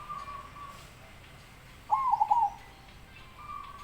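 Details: Zebra dove delivering a single rolling coo phrase of rapid, slightly stuttered notes, flanked by a faint steady whistled tone before and after.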